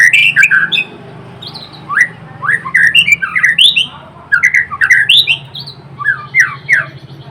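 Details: A white-rumped shama of the Blorok type sings gacor, fast and vigorous: rapid sequences of short, sharp, looping whistles in quick bursts, with faint low hum in the background.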